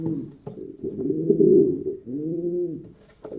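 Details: Short burst of pigeon cooing: a throaty, swelling coo followed by a clear arched hoot that rises then falls.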